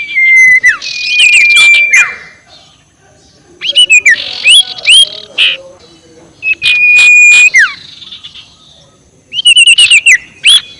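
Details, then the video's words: Sirtu (ashy tailorbird) giving its ngekek call, used as a lure to provoke rivals: long flat high whistles alternating with sharp rising-then-falling notes and bursts of rapid clicking chatter, in phrases separated by short pauses. "SUARA NGEKEK SIRTU BIKIN LAWAN EMOSI || PANCINGAN SUARA BURUNG SIRTU"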